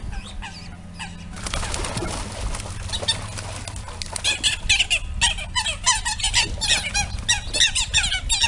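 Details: Fierce territorial fight between Eurasian coots at a pond, where a coot family with three almost adult chicks has moved in; a few calls and splashing, then a dense, irregular burst of sharp, harsh squawking notes with a steady low hum beneath.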